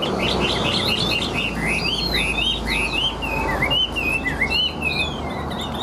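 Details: Captive Chinese hwamei singing tirelessly, like a machine, pouring out a rapid run of loud, rising and falling whistled phrases, high and varied, over a steady background hiss.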